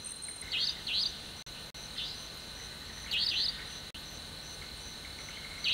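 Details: Whiplash call of a nightjar late at night in Panna National Park, India: loud, sharp whipping notes, sometimes doubled, coming in bursts a second or more apart above constant shrill insect buzzing.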